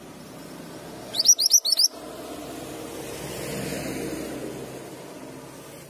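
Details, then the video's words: Through a steady low background hum, a male Mantenan gunung gives a single short phrase of four or five quick, high, rising chirps, then falls silent. "Mantenan gunung jantan gacor"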